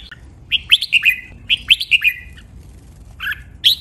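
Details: Red-whiskered bulbul kept in a cage, singing a training song: bright, rapid phrases of about five chirpy, swooping whistles, twice in a row, then a pause and a couple of isolated sharp notes.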